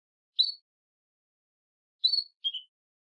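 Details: Female Belgian canary (Serinus canaria domestica) giving contact calls to stimulate the male: short, high chirps, one then two more about a second and a half later, in otherwise quiet surroundings.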